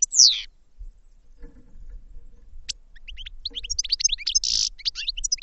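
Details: Goldfinch starting with one sharp, loud descending note. After a quiet gap of faint low rustling, a fast tinkling twitter of high chirps follows, with a short buzzy rasp in the final seconds.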